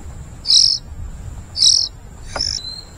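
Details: Oriental magpie-robin (kacer) parent feeding its chicks, which give harsh, hissing high begging calls, two strong bursts about a second apart and a weaker, thinner one after.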